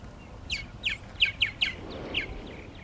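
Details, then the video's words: Purple martins at their nesting gourds at Lake Mackintosh, Gibsonville, North Carolina: a loose series of short, bright chirps, some slurred downward, spaced about every third of a second, over a soft background hiss. "Purple Martins At Their Nesting Gourds"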